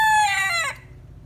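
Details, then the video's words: Closing part of a rooster's crow from a big đại kê cockerel, noted as a good crower: a loud sustained harmonic note that wavers, drops in pitch and breaks off, then fades into low background hum. "Gà Gáy Hay"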